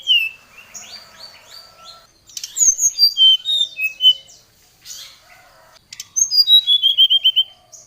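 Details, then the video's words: Brown-chested jungle flycatcher singing agitatedly to call out a rival: thin high whistled phrases, then bursts of bright, sliding notes and a fast run of repeated descending whistles near the end, with quiet gaps between. "Suara Pancingan SRDC Gacor | srdc memanggil lawan | srdc gacor Emosi"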